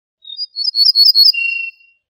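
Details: A single Ortolan bunting phrase, called al-bouh al-fassi in Morocco. A high, thin note and a pause lead into rapid, sparkling chirps, followed by a long, level, lower-pitched whistle. No background noise.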